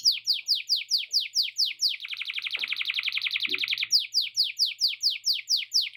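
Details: Canary singing long song filled with lovebird 'ngekek' chatter. Regular downward-sweeping whistled notes repeat about twice a second around a dense buzzy rattle in the middle, then resume, with a faint tap heard.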